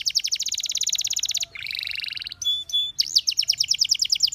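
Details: Canary song: a fast trill of repeated high notes, then a buzzy rolling phrase, a few clear whistled notes and another rapid rising-falling trill.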